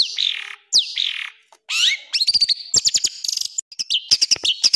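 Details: Long-tailed shrike training song with coarse rapid-fire fill phrases, played to caged birds before contests: slurred rising and falling whistles and harsh rasps, then quick bursts of sharp high chips and thin whistled notes.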